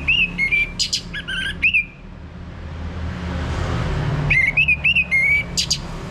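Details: Orange-headed thrush song meant to coax a male into ngeplong singing, Bali: two phrases of rapid, slurred whistles, each with a few sharp high accents, separated by about two seconds of hum.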